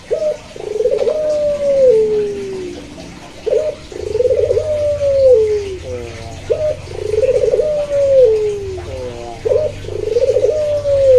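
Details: Puter, a Barbary dove of either the pelung or local variety, gives four cooing phrases about three seconds apart. Each opens with a brief note and swells into a rolling, arching coo that sinks at the close, with soft chattering between phrases.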